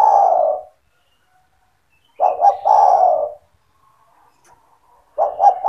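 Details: Spotted dove kept by its owner, calling vigorously to entice other doves to join in: low rolling coos, a clipped phrase, then a full stuttered-double-note-plus-long-coo phrase, and another beginning at the end.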